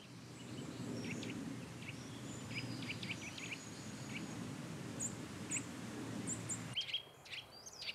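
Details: Eurasian nuthatch pair nesting in an old woodpecker hole in woodland give alarm calls, mobbing a woodpecker that ventures too close to the nest: short, sharp, high notes in irregular bursts over a low background rumble.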